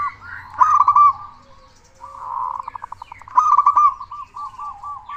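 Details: Zebra dove of a local strain, loud and persistent, recorded as a lure to stir other doves into song: fast looping trills, a purring buzzy stretch, then more trills and evenly spaced rounded coos.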